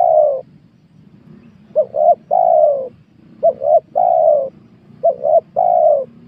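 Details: Spotted dove in a small oil palm plantation, recorded while luring wild doves; a series of mellow three-note coos, two quick rising notes and a long falling one, repeating about every one and a half seconds over steady low background noise.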